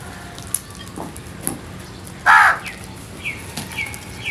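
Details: Crow giving a single loud, harsh caw about a quarter second long, with faint clicks and distant chirps before and after.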